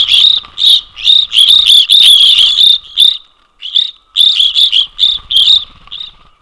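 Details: A noisy flock of evening grosbeaks jostling for position while foraging at Ontario feeders on 13 December 2021, in winter, trades loud, burry, high chirps in rapid overlapping bursts with brief pauses, over a faint steady hum.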